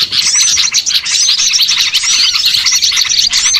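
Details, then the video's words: Lure sound meant to gather small birds for trapping: a noisy flock twitters in quick, high overlapping chirps and looping whistles, pulsing slightly in loudness over a few seconds. "MP3 PIKAT BURCIL"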